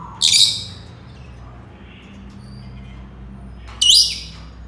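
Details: Senegal parrot giving two short, harsh, high-pitched screeches about three and a half seconds apart, with only a faint low hum between them.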